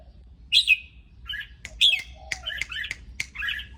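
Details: Lively red-whiskered bulbul in excited, teasing mood giving separate short whistled and chirping notes, then a quick run of warbled phrases broken by sharp clicks.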